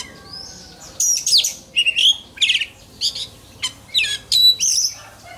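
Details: Oriental magpie-robin contest-training song: bursts of loud whistled and buzzy phrases broken by short gaps, ending in clear high whistles.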